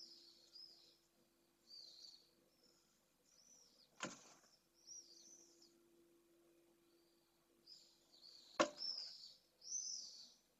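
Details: Two pallid swifts (Apus pallidus) meet at a nest in Jerez de la Frontera, Spain, giving shrill, buzzy screams in short bursts every second or two. Two sharp knocks and a low steady hum are also heard.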